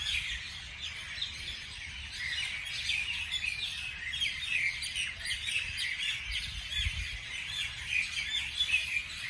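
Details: Several birds chirping through the morning: rapid, high, twittering phrases overlap densely and continuously, with a faint low rumble near the seventh second.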